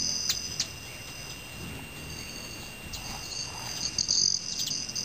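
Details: Metallic ringing wing noise of flying male Broad-tailed hummingbirds at dusk in Teller County, Colorado: a brief high buzz early, then a sustained shrill trill swelling in the second half over a hissing background.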